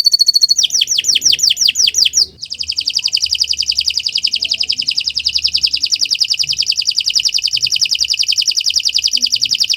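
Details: Canary delivering a long training song for other birds: a few quick descending swept notes, a brief pause, then a sustained fast trill rattling steadily for about seven seconds.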